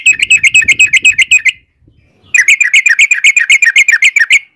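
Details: Yellow-vented bulbul singing in gacor ropel panjang style, a long rapid run: two bursts of quick, sharp, repeated chirped notes, roughly four per second, separated by a short silence, with faint low rustling under the first burst.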